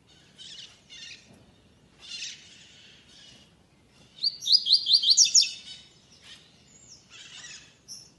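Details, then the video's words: Double-collared seedeater in a web singing tournament's second stage, classic song without third note: broadband rustling bursts, then a crisp run of about seven quick high slurred notes, then scattered softer chips and whistles. "Coleiro “Magia” Sonograma 2ª Etapa Torneio Vídeo WEB Canto Clássico Sem 3ª Nota"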